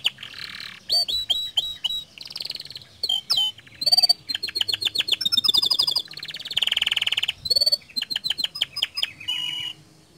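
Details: Canary singing a lure song to encourage other canaries to join in: bright whistled chirps, rolling trills and a dense buzzy rattle, phrases changing rapidly over ten seconds.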